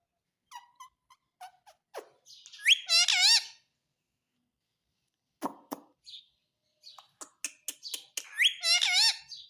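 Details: Talking Indian ringneck parakeet kept as a pet in India, said to say "mummy mummy": scattered clicks and short whistles, then twice a loud wavering screechy phrase of rising and falling harmonics, with quiet gaps between.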